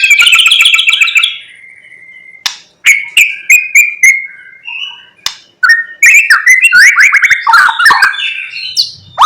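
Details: White-rumped shama morning lure song packed with mimicry: a fast trilled phrase, a long level whistle, a spaced run of sharp chips, then a dense, excited jumble of whistles.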